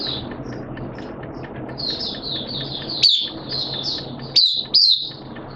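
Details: Caged Oriental white-eye (Mata Puteh), 'buka sing' opening song recorded 11 September 2022 in wet, erratic weather: quiet high chattering notes building to three loud, sharp descending whistles, over steady low background noise.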